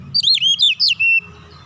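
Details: Oriental magpie-robin song intended to provoke other birds to sing: a quick burst of loud, high looping whistles ending on a flat sustained note, over a faint low hum.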